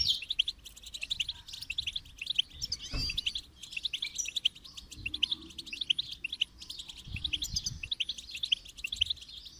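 A goldfinch sings a long, liquid run of rapid twitters and tinkling trills, bright and high, with a soft low rumble beneath.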